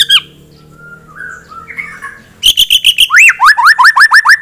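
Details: White-rumped shama, a caged songbird, singing to stir a rival's aggression: soft warbling notes give way to a fast series of sharp repeated chips, then a run of rising whistled upslurs about four per second.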